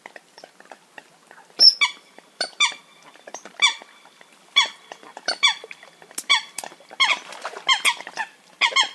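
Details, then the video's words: Eurasian coot (Fulica atra) calling, a recording used for hunting. Short nasal, harmonic-rich notes that drop slightly in pitch, given singly or in pairs at irregular intervals, getting busier toward the end, over a quiet background. "Eurasian Coot (Fulica atra) Real Hunting Call Sound"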